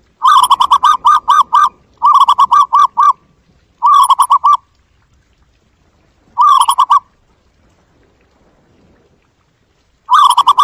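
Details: A zebra dove (Geopelia striata) gives bursts of quick, rolling staccato coos, about five notes a second, in runs of four to eight notes separated by pauses.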